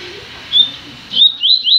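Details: Double-collared seedeater singing in a new cage: a thin high whistle, then a quick run of three or four loud, clear whistled strokes, each slightly rising, in rapid succession.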